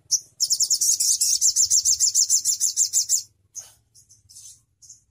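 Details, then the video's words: Crimson sunbird song: a brief high note, then a sustained rapid trill of about twenty-five high, sweeping repeated notes over nearly three seconds, ending with scattered short chirps. "Suara Burung Sogon Ontong Bikin Yang Lain Ikut Gacor"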